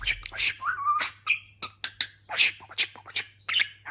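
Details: Talking pet budgerigar, freshly moulted and grown quite plump, chattering in rapid, scratchy speech-like bursts mixed with short whistled slides and clicks, over a faint low hum.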